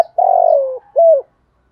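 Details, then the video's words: Male and female spotted doves cooing to call the flock and stir decoy birds: a long, burry, rolling coo that slowly falls in pitch, a short pause, then one clear hollow coo. "cu gay gù bài bản, tiếng chim cu gáy kích bổi nhanh nổi giọng hạp bổi/cu cườm gáy gọi bầy"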